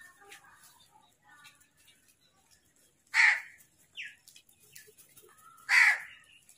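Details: Crows feeding, giving a fight call: two loud, harsh, rasping caws about two and a half seconds apart, with faint chirps and twitters from other birds between them.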